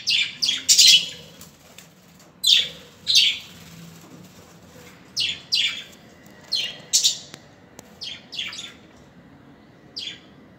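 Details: Budgerigars chirping repeatedly, with sharp, high, scratchy notes coming singly or in pairs at uneven intervals.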